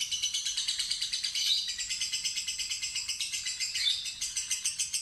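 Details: Young fighter lovebird in a lure test, performing ngekek: a steady, shrill, rattling trill of rapid pulses that wavers slightly in pitch for the whole stretch.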